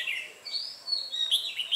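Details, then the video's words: Red-whiskered bulbul recorded during trapping on 8 October 2017, a decoy bird singing to lure wild birds; brief bright warbled whistles, rising and falling, with quick chirpy notes near the end. "Bẫy chào mào em bổi Lưng gù"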